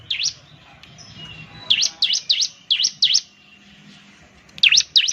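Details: Lure recording of a ciblek, the Bar-winged Prinia, to get birds singing: loud V-shaped high chirps, one early, a cluster of five in the middle and a final pair, separated by quiet low hum.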